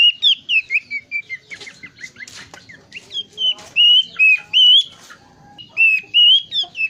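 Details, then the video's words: Bush warbler (plenduk semak) in full varied song: a lively stream of rising and falling whistled notes and sharp chips, some notes held and buzzy, continuing with brief pauses over several seconds. "Burung Plenduk Semak Gacor dorr !! suara bervariasi.."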